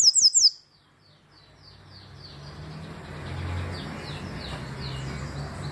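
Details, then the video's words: Double-collared seedeater, tui song style, 2020: a brief burst of three high upslurred whistles at the start, then fainter similar notes fading in and out over growing low rumbling background noise. "Papa capim tui"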